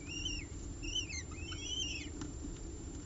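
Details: Two peregrine falcon eyases being fed by the female on a ledge in Orange, 30 September 2018. Soft, drawn-out arched whistles come in three phrases, fading into a low background rumble with a faint tap.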